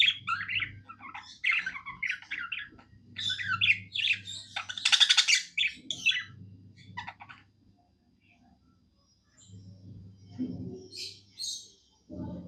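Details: Happy tame budgerigar singing: quick chirps and scratchy warbled phrases, a loud buzzy burst in the middle, then a quiet stretch before a few more high chirps; faint low hum throughout.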